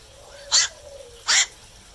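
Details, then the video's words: At night, a night heron gives two abrupt, coarse squawks less than a second apart, each brief and broadband, with a faint steady hum beneath. "เสียงนกแขวก นกแขวก (กลางคืน)"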